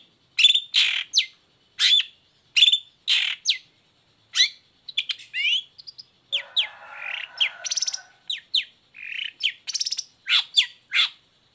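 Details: Long-tailed shrike in full song, used as a lure to make lazy or moulting shrikes sing: a varied run of sharp chirps, rising whistled slurs and buzzy notes in quick bursts, with a brief rough rasping passage midway.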